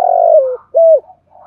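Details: Decoy spotted dove calling on a rainy morning to lure wild doves; a long, deep coo that dips at its end, then a short rounded hollow note and faint soft cooing after.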